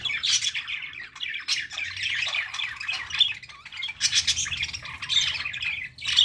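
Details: Pet budgerigars, noisy and playful through the day, chatter continuously with rapid, scratchy warbles and sharp chirps overlapping one another.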